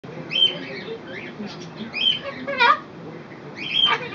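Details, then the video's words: A Goffin's cockatoo chatters in short, raspy, word-like bursts mixed with thin high squeaks, a few syllables every second or so, with faint room noise behind. "Goffin Cockatoo talks"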